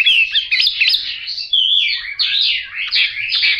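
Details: Chinese hwamei with yellow bill and yellow legs singing a rich, continuous run of clear whistled phrases, slurred upward and downward notes and quick trills, loud and unbroken for nearly four seconds, no other sounds.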